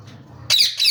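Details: Indian ringneck parakeet with red beak, yellow wing and long tail, in flight, giving a sudden harsh, bright screech that breaks off briefly and resumes after a near-silent start with faint low room hum.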